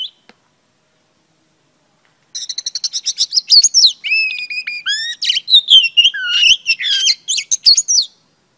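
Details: Female Oriental Magpie Robin in song meant to excite males; after two seconds of near silence, a fast series of short chirps leads into rich, varied whistled phrases with sliding and warbled notes, continuing to the end.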